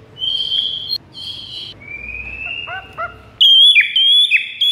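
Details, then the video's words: White-rumped shama master song for luring rivals: steady high whistles, a long thin rising note and a few short chirps, then loud, ringing high whistled phrases at the end. "PIKAT MURAI BATU LAWAN DENGAN MASTERAN MURAI BATU SATU INI"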